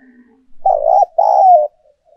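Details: Decoy spotted dove, used to make birds coo more readily, gives two loud, low, mellow coos in quick succession, the second longer and gently falling, after a faint soft lead-in.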